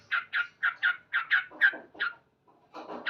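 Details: Morning song of a male yellow-vented bulbul: loud, scratchy 'cuk' notes repeated about twice a second, then a pause and softer, broader rasping sounds at the end.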